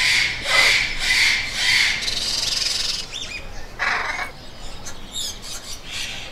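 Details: Parrot calling with harsh, raspy squawks repeated in a run of broad bursts, then a pause and a few more separate rough calls.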